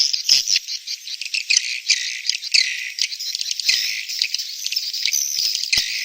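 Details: Swiftlets making a birahi beranak mating call: fast, rattling high chitters and clicking trills tumble over one another in uneven bursts, with no other sound behind them.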